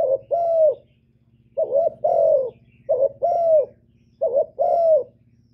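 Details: Spotted dove cooing in repeated pairs: a short hoot followed by a longer, slightly falling coo, four phrases in about five seconds, with a constant low droning hum in the background.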